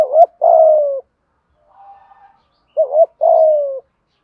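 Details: Spotted dove giving the 'thúc gù' urging coo, used to train caught or long-kept doves that refuse to call; two low phrases of a quavering short note plus a sustained falling coo, with a faint quiet coo between them.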